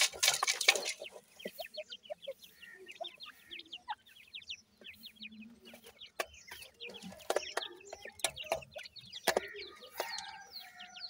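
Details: Grey francolin family of five male chicks with attentive parents, exploring natural surroundings; dense rapid series of short high downward chirps overlapping from several birds, with scattered louder clucking notes and sharp clicks.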